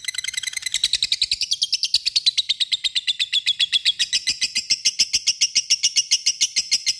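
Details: Lovebird in long ngekek chatter, calling an opponent: a fast, unbroken run of high, grating chips, roughly three per second at first and then accelerating into a steady metallic rattle lasting about seven seconds.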